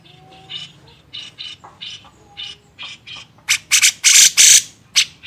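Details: Grey-cheeked bulbul master recording for training songbirds: soft, scratchy chatter notes build into loud, harsh, rasping squawks near the end.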